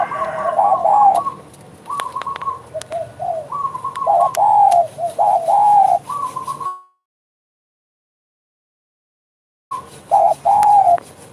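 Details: Spotted dove cooing actively in a bekur style: mellow, rounded coos in quick uneven bursts for about seven seconds, then a silent break and another short run of coos, with sharp clicks mixed in.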